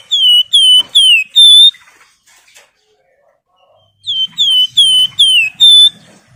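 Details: Javan fulvetta (wergan) in energetic song calling rivals, used as a lure: clear whistled notes slurring downward, four in a quick series, a pause of about two seconds, then five more.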